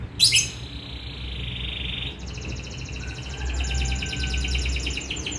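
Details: Young canary sings a high buzzy sustained trill that shifts into a faster pulsing rattle, with a low hum underneath.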